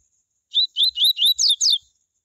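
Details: Coleiro (tui tui style) singing a short phrase used to stimulate other coleiros to sing: six quick whistled notes, each a rising then falling sweep, the last two higher and buzzier, clean with no background noise.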